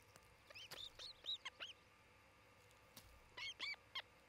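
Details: Osprey at a nest camera in Charlo, Montana, one of a nest-building pair, 27 June 2018 near midday; two groups of thin, high chirped whistles, each note rising then falling, separated by a short quiet gap, with faint background hum.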